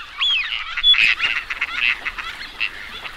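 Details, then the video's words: Teal calling as a group: a busy chatter of high, nasal quacks and short whistled notes overlapping with no pause. "Teal duck Sound"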